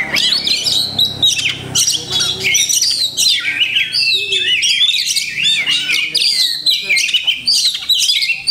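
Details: Oriental magpie-robin (kacer) packed with learned imitations, singing a long unbroken stream of shrill whistles, quick trills and downward-sweeping notes, loud and densely varied throughout.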